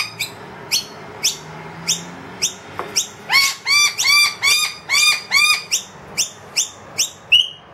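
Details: Wild noisy miner and its two young in a room, calling loudly for food after the feeder emptied. Thin, high, rising chips give way mid-clip to a run of loud, arched, harmonic notes, then thin chips return.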